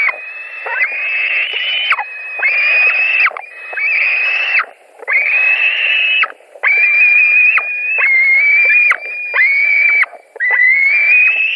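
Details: White-tailed eagles at a nest in Latvia on 17 July 2020 around 22:00, during a fish delivery as two birds contest the fish. Long, drawn-out whining calls repeat about every 1.3 seconds, each steady and slightly rising, with short gaps.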